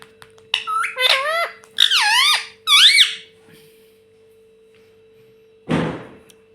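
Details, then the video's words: Pet rose-ringed parakeet mimicking the word "mummy" indoors, giving several squeaky, wavering two-part calls in quick succession, then a pause and a brief noisy burst, with a steady background hum. "Parrot Talking Mummy Mummy"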